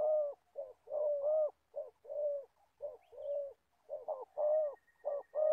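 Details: Old decoy spotted dove used for trapping wild doves in Gia Lai, Vietnam, giving repeated deep, hollow coos in short bursts of two or three notes, with brief gaps, at close range and with little background noise.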